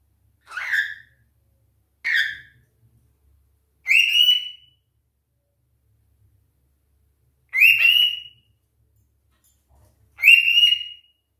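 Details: Two pet cockatiels left alone indoors call out wanting their owner's attention: five loud, rasping, whistled screeches about two seconds apart, the later ones higher and flatter, each roughly half a second long, in an otherwise quiet room.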